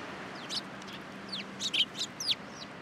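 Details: Sparrows arriving to be fed at a Tenmangu shrine on 3 October 2022; a handful of sharp, bright chirps, some slurred downward, grow louder near the end.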